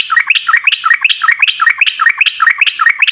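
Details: Rapid rolling chatter of a yellow-vented bulbul, used as a lure to prompt other bulbuls to sing, with quick bubbly phrases repeated several times each second without pause.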